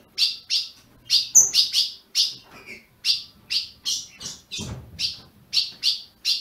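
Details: Ultramarine grosbeak kept in a cage in Brazil, recorded as a warm-up for other birds. Crisp high chirps repeat about twice a second, with a brief thin whistle early on and a soft low thump midway.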